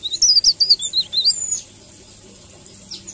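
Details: Leaf warbler giving its sweet 'ngerol' song, a masteran recording: a rapid chain of high, wavering, looping whistled notes lasting about a second and a half, then near silence with one faint thin note.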